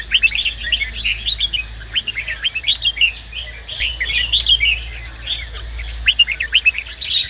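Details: Red-whiskered bulbul male in training, urged to sing by a female bird: nearly continuous bright, rolling warbled phrases with sharp accented notes, dense throughout, with a low background hum.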